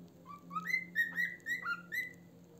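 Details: Pet cockatiel indoors whistling a short tune of clear, rising and falling notes that climb and then hold a level pitch, about six phrases in two seconds, over a faint low hum.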